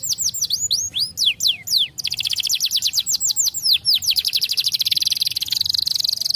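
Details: Canary song meant to help young canaries learn to sing quickly: fast series of high descending whistled sweeps, then rapid trills of repeated notes and a buzzy rolling phrase, loud and continuous.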